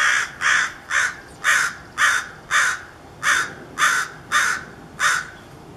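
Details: Chestnut-backed chickadee nestlings in a gourd nest, begging through the morning before fledging in the early afternoon. About eleven harsh, buzzy rasps come in a rhythmic run, roughly two each second.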